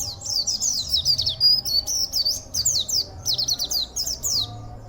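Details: An Oriental white-eye, a local cage bird with a powerful, unusual song: unbroken, rapid, high chattering phrases of quick downslurred and zigzag chirps, several short bursts over five seconds.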